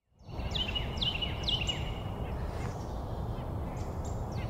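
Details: Carolina wren at South Meadows on 24 October 2023 gives three sharp, high, downward-sliding notes about half a second apart, then fainter ones, over a steady low rumble of wind or traffic.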